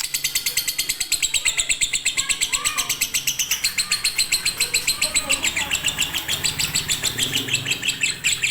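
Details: Lovebird of the fighter type delivering a konslet song for training birds that rarely sing, a steady high chatter of quick repeated notes throughout with faint lower chirps beneath.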